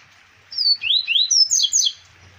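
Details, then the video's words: Song of a double-collared seedeater, Arapiraca, Alagoas, Brazil, 2020: a rapid run of about seven loud whistled notes, high falling slurs alternating with lower rising sweeps, ending in doubled high notes; little background noise. "CoLEiro Zidane 2020"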